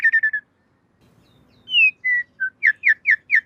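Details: Master recording of a jalak suren, the Asian pied starling, for training caged birds. A short flat whistle is followed by a pause, then clear sliding whistles and four quick sharp chirps.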